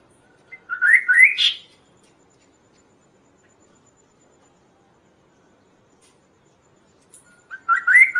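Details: Kaso-kaso song played to train songbirds and lure other birds: two short bursts of rapid, rising warbled notes, separated by about six seconds of near silence.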